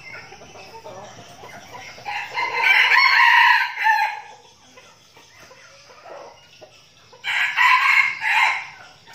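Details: Red junglefowl kept as decoy birds in Bình Phước, Vietnam, crowing twice about five seconds apart, each a coarse, strained phrase with a short tail, separated by quieter rustling and faint clucks.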